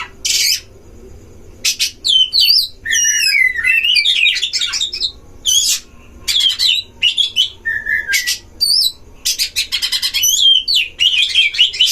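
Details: Caged Oriental magpie-robins at a livestock shed, used as a lure to provoke other magpie-robins, sing in loud bursts of rich whistles, sweeping slurs and harsh scratchy notes, with pauses between phrases, over a faint low hum.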